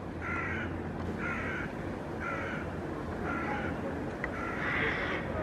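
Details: Hooded crows mobbing a northern goshawk perched on a rooftop railing in Helsinki, Finland, in September, flying close and calling; a series of five harsh caws about one second apart over steady low traffic rumble.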